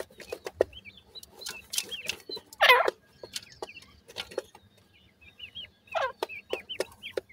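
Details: Feeding chicks called teetar make clear, high, looping peeps in short runs, over crisp pecking clicks and one loud harsh rustling burst.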